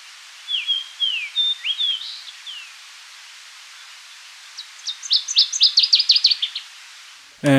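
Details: Fox Sparrow recorded in the Seal River watershed boreal forest breeding grounds: a clear, whistled song of sliding up-and-down notes likened to R2D2, then a quick burst of high chirpy notes and a brief thump at the end.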